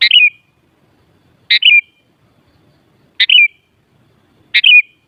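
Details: Sooty-headed bulbul giving four loud, bubbly phrases about one and a half seconds apart, each a burst of rich notes sliding downward.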